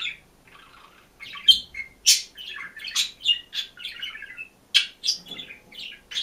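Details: Single green budgerigar in a cage singing and chirping: soft chatter building into a rapid series of scratchy warbles, squeaks and sharp chirps, one brief low knock early, indoors.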